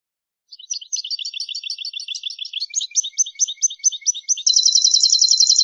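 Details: Mutation European goldfinch in full song: a long, fast tumbling twitter of varied liquid notes, ending in a loud, rapid, even trill of very high tinkling notes.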